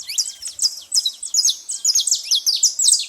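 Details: At a feeding spot, saffron finches keep up rapid, high twittering: crisp downslurred chips, about two each second, layered over a steady hiss of further chatter.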